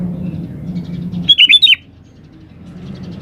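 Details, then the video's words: A single short phrase of four or five bright, tumbling, up-down notes comes from a lively 'gacor' sooty-headed bulbul meant to coax other birds to sing back. A low mechanical hum sits behind it. "SUARA BURUNG KUTILANG GACOR"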